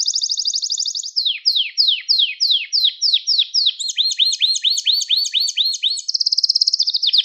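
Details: Gloster canary song used to stimulate and train other canaries: a clean, loud run of high trills, starting with a fast buzzy roll, then repeated downward-sweeping notes about four per second, a doubled phrase, and a rapid final trill.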